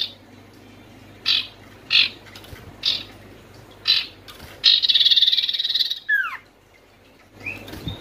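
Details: Oriental white-eye used to stir quiet birds into song: evenly spaced short buzzy chips, then a loud rattling trill that ends in a falling slur, and a rising whistle at the close.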